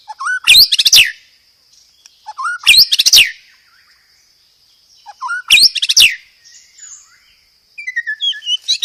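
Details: White-rumped shama singing loud, short explosive phrases roughly every two and a half seconds, each a low whistled lead-in followed by sharp sweeping notes, with soft warbles between and a faint steady high tone.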